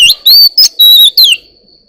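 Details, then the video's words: Oriental magpie-robin in the morning giving several bright whistled phrases, one long and steady, the last sliding downward, with brief raspy notes between them and a fading tail. "Chòe than hót múa"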